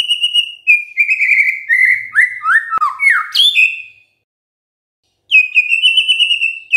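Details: Gacor-style song of a white-rumped shama: a long stream of flowing, gradually descending whistles that ends in a high upturned note, a silent gap of about a second, then a steady high whistled phrase.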